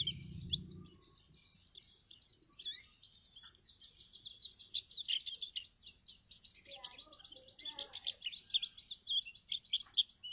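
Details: White-eye of the dokor type, moulting, giving ngriwik song: a long unbroken stream of fast, high, thin twittering notes lasting about ten seconds, with a brief low rumble at the start.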